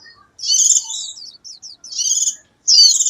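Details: A white-eye in the wild sings to call its flock, rapid high twittering phrases in bursts with short pauses, thin and chattering throughout.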